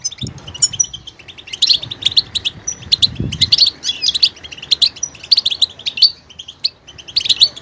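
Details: Goldfinch song switching between varied sounds: a continuous stream of high twittering and tinkling notes with short whistled inserts, plus a brief low thump in the background.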